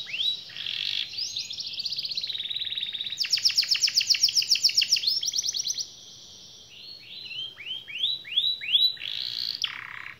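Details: Canary song with long rolling trills meant to spur quiet, lazy canaries to sing: rapid repeated high notes, a fast buzzy roll in the middle, then rising swept phrases after a brief pause.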